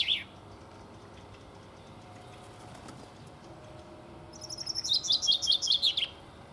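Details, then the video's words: Common chaffinch song: after the tail of a previous phrase and a quiet pause, one brisk song of repeated high whistled notes falling in steps and ending in an abrupt terminal flourish. "Пение зяблика."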